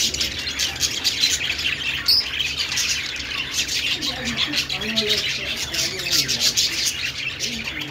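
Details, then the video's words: Budgerigar flock chattering, rapid high chirps and warbles overlapping, with a few lower squawky notes in the second half. "parakeet chirping sounds"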